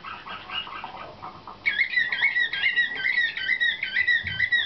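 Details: Nightingale-type (slavujar) canary, one of the 2013 young birds in competition training. Soft, murmured warbling gives way to loud, looping whistled trills repeated in a steady rhythm.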